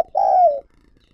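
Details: Spotted dove decoy for wild doves gives a single long, mellow coo that starts strongly and slides slowly downward before fading.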